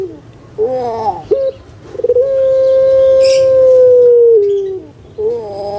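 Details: Kept puter pelung (Barbary dove) from Indonesia, recording used to coax lazy doves to call: a short rolling coo, a brief note, then a long steady drawn-out coo of about three seconds that sags in pitch at the end, followed by another coo.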